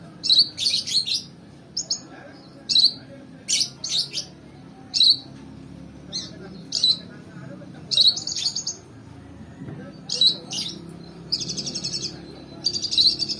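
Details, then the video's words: Lure sound for training a lovebird: steady series of sharp high chirps and chattering bursts, repeated roughly every second, with a longer buzzy twittering run toward the end. "Melatih love bird!!! dengan suara pancingan teman???"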